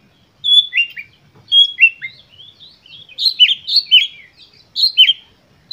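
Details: Oriental magpie-robin in full, emotional lure song used to prompt other magpie-robins to respond. Bright whistles and quick descending slurred notes build into a denser run of rapid chirps near the end.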